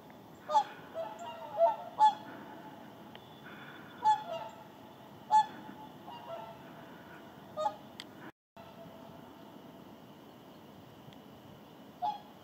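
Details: Whooper swan flock landing in the Indalsälven delta to rest and preen during southward migration: scattered loud trumpeting honks, several in the first two seconds then spaced out, over steady broadband background rush.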